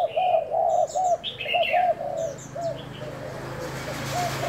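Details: Thai-type spotted dove kept as a decoy bird, tested on 1 November, cooing: a quick run of short arched coos in the first two seconds, then softer scattered coos, with high chirps from other birds overhead.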